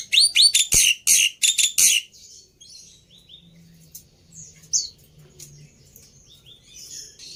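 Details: Black-winged myna (jalak putih) lure song, played to prompt a silent bird to answer: a burst of loud, harsh, buzzy chattering notes over about two seconds, then faint scattered chirps.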